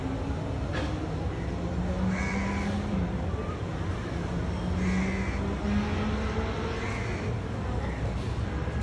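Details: Repeated rasping caws from crows on a tree, about four calls spread every two seconds or so, with a low droning engine hum and urban traffic noise underneath.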